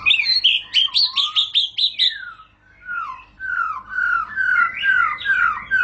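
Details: White-rumped shama, called murai batu, singing to trigger other shamas: a quick series of bright rising and falling whistles, a short silence, then drawn-out, liquid, down-slurred whistled notes.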